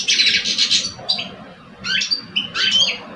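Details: Two competing caged male goldfinches from Algeria, one old and one two years old; an opening burst of buzzy twittering, a near-silent pause, then short rising chirps and a trilled phrase.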